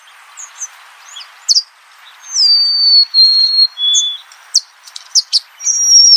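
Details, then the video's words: Golden-crowned sparrow singing against steady background hiss: a high whistled phrase dropping in steps, mixed with scattered sharp chirps and short high notes, and ending on another thin, sustained whistle. "Natural Birds Voice, Bird Natural Sound.Golden crowned Sparrow."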